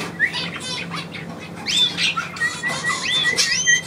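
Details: Pet bird indoors, calling on command from its owner: short whistled chirps and rising and falling notes come in quick bursts, some rapid rattling trill fragments, with faint room noise.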